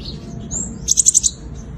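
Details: Sunbird fighting song for luring: a thin high slurred note, then a short burst of five loud, rapid, ringing high notes, with light background hiss.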